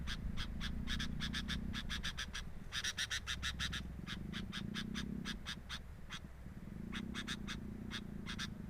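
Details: Camera at a sooty-headed bulbul nest picks up busy bursts of short, harsh chip notes, clustered in fast runs with gaps, over a low droning hum.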